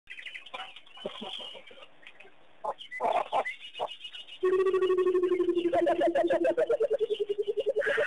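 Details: Burchell's coucals singing at Pete's Pond, Mashatu Game Reserve, Botswana, on January 21, 2010, while cattle egrets dance; a low sustained hoot gives way to rapid bubbling notes sliding downward, after sharper scattered calls and chatter.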